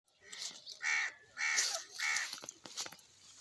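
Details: Green parrot talking: three loud, harsh, speech-like syllables with rich stacked tones, each about half a second long, then a few quieter clicks and short sounds.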